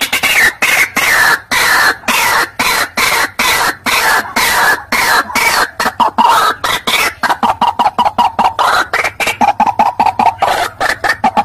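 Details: White-breasted waterhen lure call: loud, harsh, rhythmic notes repeated several times a second in an unbroken chant that speeds up toward the end.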